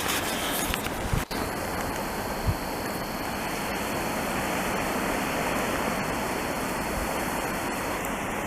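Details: Rushing broadband noise like wind or flowing water, with a steady high electronic whine and a couple of knocks, and no animal calls.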